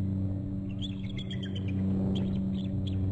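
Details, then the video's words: Peregrine falcons trilling during a fly-by, heard as short clipped notes in a quick run that repeats in brief bursts, over a steady low rumble of traffic. "Fly by and both trill at it . fly off and around to land crook trills"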